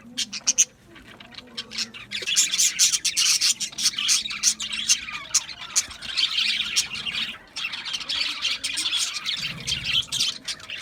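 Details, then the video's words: Budgerigars, called parakeets, chirping as a group: dense, overlapping high warbles and sharp ticks, continuous and busy after a quieter opening, with a few squawks. "Natural Parakeet Singing Birds | Parrots Chirping sounds"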